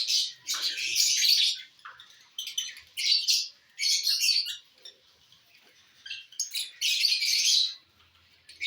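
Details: Lovebirds eating corn on the cob, giving harsh, buzzy, high-pitched chirps in dense bursts about a second long, separated by short pauses.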